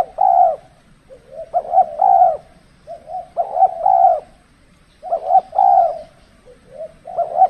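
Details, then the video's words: Spotted dove in decoy trapping during the cold season when birds are less aggressive; repeated cooing phrases of a clipped double note and a longer coo, interspersed with quieter short coos, steady low background rumble. "burung tekukur kalau musim dingin kurang bernyali termasuk pikat pun kurang agresif"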